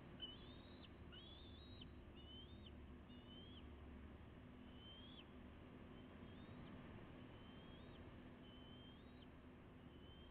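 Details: Bald eagle family, juveniles close to fledging with their parents at the West End Nest on May 29 2016, live nest camera: a series of high, thin whistled notes, some rising then dropping, repeated about every second over a steady low hum.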